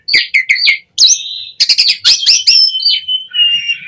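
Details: Asian pied starling song meant to encourage other starlings to sing: quick squeaky notes, a long whistle, a harsh chattering burst, then fading drawn-out whistles.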